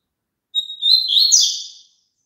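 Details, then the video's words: Double-collared seedeater song, a recording meant for playing to a kept bird so it sings along: a thin high whistle leads into a rapid, buzzy, warbling chatter lasting about a second and a half, with no other sounds. "COLOCA ESSE CANTO PARA SEU PAPACAPIM CANTAR JUNTO"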